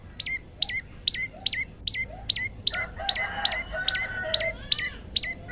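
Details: Chatty male olive-backed tailorbird in a long-shot variation, phone-recorded to serve as a master for other tailorbirds: some thirteen rapid, piercing notes that each hook downward, with a harsh rattling chatter overlapping midway.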